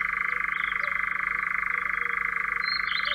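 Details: European Nightjar, Central Russia: an unbroken rattling churr at a constant pitch, finely pulsed, with a few faint chirps from other birds over the top.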